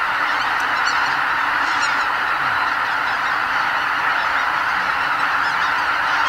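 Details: Tens of thousands of greater white-fronted geese lifting off from their roost at Lake Miyajimanuma, Bibai, before sunrise in spring; steady overlapping honks form a dense, unchanging roar.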